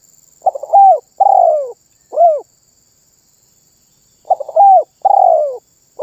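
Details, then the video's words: Spotted dove (terkukur) cooing energetically in a song said to make other birds join in. One complete four-part phrase (stuttering start, rising note, long burry coo, drooping final coo) is followed by the start of another. A thin constant high hum sits behind. "SUARA BURUNG TERKUKUR MANGGUNG GACOR MEMBUAT BURUNG LAIN IKUTAN BUNYI"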